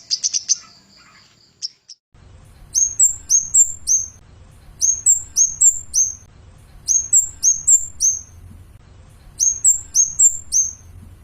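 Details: Master song of a Javan cochoa for tutoring cage songbirds: short groups of sharp, high whistled notes, each sliding up then dropping, repeated in bursts about every two seconds over a low hum.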